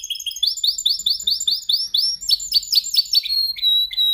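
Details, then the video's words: Caged canary singing during song training, practising to perfect its song: rapid series of rising whistled notes repeated several times a second, then shifting into faster, higher buzzy trills and a short held tone near the end. "Your canary sings immediately when he listens to this canary singing"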